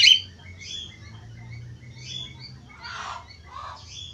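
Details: Budgerigar warble used to stimulate other budgerigars to sing: an opening sharp chirp, then thin, wavering high notes and two rough, scratchy bursts near the end.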